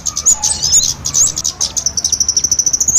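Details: Trapping lure pairing kemade and sogon calls: jumbled high twittering and curling whistles, then a steady, fast, evenly spaced trill of thin notes.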